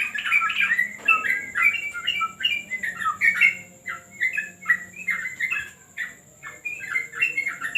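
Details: Yellow-vented bulbul trained on a terrace gives repeated bursts of slurred, squeaky chattering notes, a faint hum in the background.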